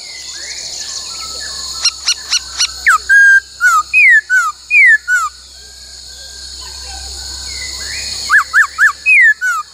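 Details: Laughingthrush song in training: a rapid run of short clicking notes, then a string of loud whistled notes that slide down in pitch, a quiet pause, and a final burst of rising and falling whistles, over a steady high hum.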